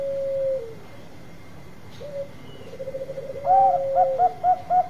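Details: Bangkok-type zebra dove in full song: long level coos and rapid quavering trills, then a brighter second voice giving a run of short, evenly spaced hooting notes about four per second. A faint hum runs throughout.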